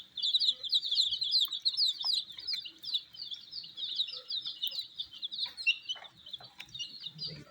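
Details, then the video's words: Colored baby chicks eating wheat: a dense chorus of high, shrill peeps, many birds calling over one another in rapid, uneven bursts, with a few soft taps and pecks underneath. "Colors MURGI baby Chicks are eating "wheat Challenge" with "Chicks Chirping" Sounds"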